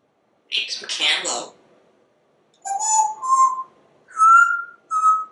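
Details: Indoor pet African Grey Parrot chattering: a noisy speech-like burst, then pure whistled tones sliding upward, followed by two clear level whistles with a short gap.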